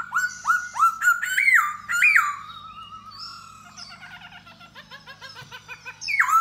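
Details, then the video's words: Singing to attract a female while dancing, a Da Bò laughingthrush gives strong rising whistled phrases in quick succession. These fade into a softer rapid twittering chatter, and the clip ends on a loud falling whistle. "Khướu Da Bò Hót Múa Dzụ Mái"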